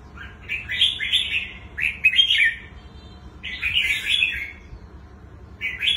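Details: Red-whiskered bulbul, a wild-caught bird with a fine twisting voice, sings rich gurgling warbled phrases with quick slurred notes, repeated in bursts with short pauses, over faint low hum.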